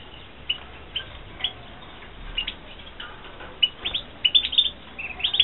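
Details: Captive-bred European goldfinches (Carduelis carduelis) from a 2016 breeding season: sparse high twittering notes at first, then a quicker run of bright tinkling chirps near the end.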